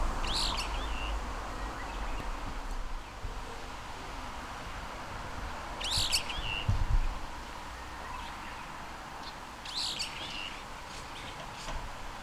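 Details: Brown-eared bulbul (Hypsipetes amaurotis) seen from a window, recorded with a parabolic microphone: three loud, shrill descending calls spaced about four to five seconds apart over steady low background rumble.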